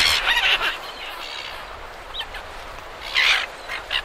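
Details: A group of silver gulls recorded at medium close range in Perth, Australia, with surf behind: rough squawks open the recording, then a quieter stretch, then a loud harsh burst near 3.2 seconds and a short final squawk, all over continuous wash.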